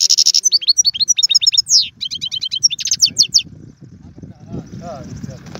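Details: Goldfinch song aimed at stimulating a pet bird: brisk high twittering and rapid chirps for about three seconds, then fading into low rumbling background noise.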